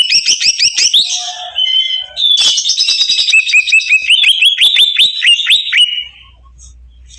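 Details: Excited greater green leafbird calling loudly: fast series of sharp downslurred chirps, a short break, then a long sequence of descending whistled notes that fades into quiet low hum.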